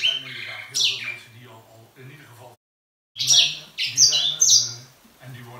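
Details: Grey singing finch indoors offering a couple of high sliding whistles, then a brief silence and a fresh flurry of bright, falling notes, with a soft low hum in the room.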